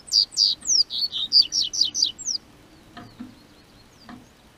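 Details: Double-collared seedeater from southern Brazil, singing as the weather warms: a loud, rapid string of about a dozen high, piercing slurred notes over two seconds, then silence broken by two low thumps.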